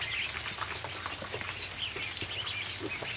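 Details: A barn full of ducklings at feeding time, with high thin peeps in short sliding notes repeated rapidly over constant tapping and rustling.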